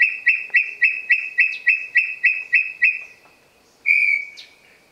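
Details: A pair of brown tinamous calling just after dawn at Trilha dos Tucanos, São Paulo state, Brazil, on 30 November 2016; a steady series of short clear whistles about four per second, fading out, then one longer whistle.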